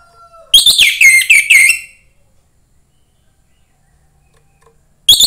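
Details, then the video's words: Young wild-forest orange-headed thrush singing to stimulate other thrushes: a quick sequence of four loud, descending whistled slurs, then a long pause before the next phrase begins. "suara anis merah MUDA HUTAN meningkatkan felling anis merah lain"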